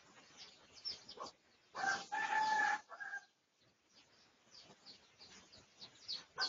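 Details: Red junglefowl of the pradu colour type, in a research recording made on 18 August 2023, gives one harmonic crow of about a second, midway through. Scattered quick chirps from small birds fill the rest.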